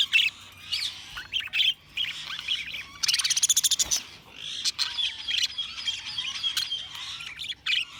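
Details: Budgerigar chirping: high warbles and chattering notes, a quick burst of rapid clicks midway, then more continuous twittering.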